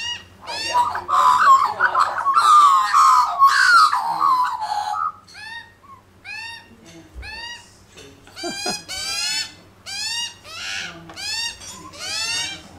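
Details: A family of Australian magpies on a lawn, with one dominant bird, carol in rich, warbling, fluting phrases with bright upward-swooping notes, several birds overlapping, over a low background hum.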